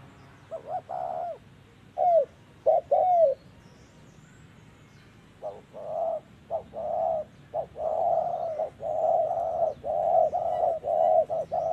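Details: A spotted dove (Spilopelia chinensis), recorded in a bird-trapping context, gives soft, low, hollow coos in short phrases of two or three notes, in a faster, steadier run toward the end, over quiet background.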